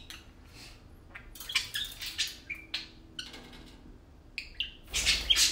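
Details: Tame parakeets playing and talking indoors, two pet birds; scattered chirps and brief whistled notes among rustling and clatter, ending in a louder squawky burst.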